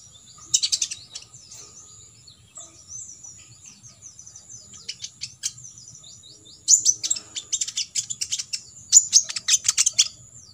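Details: Faint soft high notes, then loud bursts of rapid high-pitched chirping in the second half: an olive-backed sunbird's 'tembakan isian' song, played so other sunbirds can imitate it for contests.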